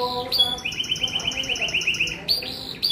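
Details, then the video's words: Singing young canary delivers a rapid, even series of short upslurred whistles, then sharp high chips at the end, clear against quiet room noise. "SUARA KENARI LEPAS PAUD ANGKATAN GACOR"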